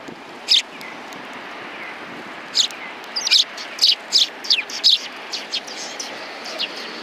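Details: Sparrows on a bench at a Tenmangu shrine in January 2020 chirp in quick, bright notes that cluster into a lively run midway through, over faint background hum.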